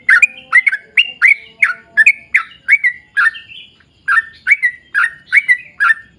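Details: Trucukan (yellow-vented bulbul) singing a long ropel-style run: evenly spaced bright chirps, a brief gap near the middle, then another burst of downslurred notes, clean and close.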